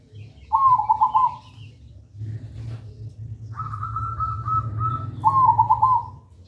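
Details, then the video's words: Local zebra dove (perkutut) singing clearly and persistently as a training lure for silent birds. Two quick, rippling coo phrases are separated by a long, level whistled tone, with a constant low hum behind. "Perkutut lokal gacor suara merdu"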